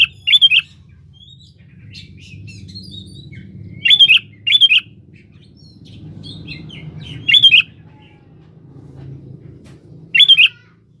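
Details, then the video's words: Sooty-headed bulbul calling a rival, used as a lure: short bubbly whistled phrases repeated at irregular intervals of about two to three seconds, with faint chirps of other birds between them. "Di pancing Suara burung kutilang gacor memanggil lawan ini"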